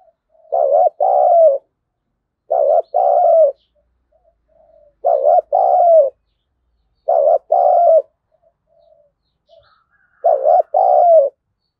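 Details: Spotted dove used as a lure bird to provoke wild doves to fight, giving a loud two-part coo: a short dipping note then a longer falling one, repeated about every two and a half seconds, with soft faint notes between phrases.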